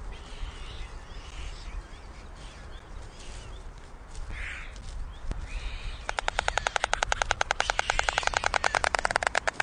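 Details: White storks at their nest in Ustroń, Poland, on 7 July 2019 at 18:34, during feeding of two chicks. Low rustling background noise gives way to rapid, evenly spaced, dry wooden clattering pulses that run through the last three and a half seconds.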